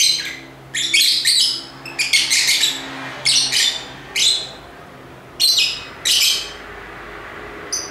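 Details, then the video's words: Several lovebirds giving shrill, scratchy chirping bursts in irregular clusters, noisy high notes separated by short quiet gaps, with constant low background noise. "Ramai Kicauan Lovebird (Lovebirds Sounds)"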